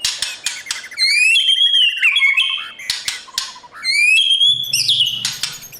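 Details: Morning song of a caged white-rumped shama trained for competition: sharp clicks leading into long rising whistled phrases with warbling, a lower fluttering trill between, and a faint low hum near the end.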